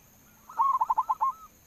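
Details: Local zebra dove (perkutut lokal) lure song, played to coax other doves into singing: one quick phrase of about six rapid, evenly pulsed low coos that run together, ending in a longer drawn-out note, over a quiet background.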